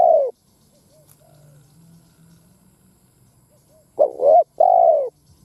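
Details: Spotted dove used as a lure bird, heard crowing to excite rival doves. The end of a coo fades out, then after quiet a quavering two-lobed note and a smooth, slightly falling coo arrive.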